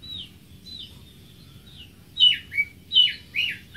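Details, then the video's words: Greater green leafbird song opening with soft thin whistles, then four loud, emphatic downslurred notes spaced about a third of a second apart, sweet and liquid in tone. "Greater Green Leafbird (Bird Singing 74)"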